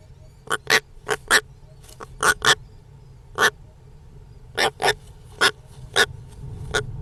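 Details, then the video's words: Rasping calls of a European roller: short dry harsh notes, often in pairs, scattered irregularly across seven seconds against faint low background noise. "European Rollers - The weird sound of this beautiful birds"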